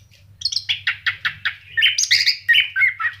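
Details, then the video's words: Orange-headed thrush kept as a pet, delivering rapid repeated chip-like notes about three or four per second that blend into a fuller warbled phrase of whistles, with a low background hum. "SUARA ANIS KEMBANG GACOR"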